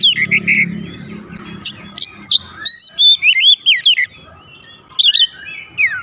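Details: Oriental magpie-robin kept at home replying loudly in full song: warbled notes, then a run of about seven crisp looping whistles, a pause and a few descending slurred whistles over a low hum.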